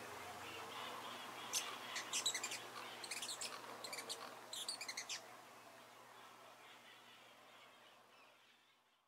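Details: Amazilia hummingbird calling: quick series of thin, high-pitched chips and twittering notes for about three seconds, then fading to quiet background hiss.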